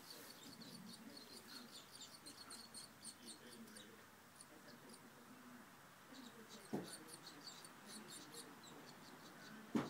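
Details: Barn swallows with their second brood of fledglings of the year give thin, high chirps in quick twittering bursts, faint over a low background hum, with a couple of sharp knocks near the end.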